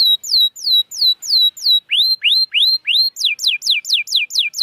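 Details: Canary song used as a lure to stimulate canaries reluctant to sing: rapid tours of clear, downslurred whistled notes, then rising sweeps, then fast descending notes, each syllable repeated several times in even rhythm.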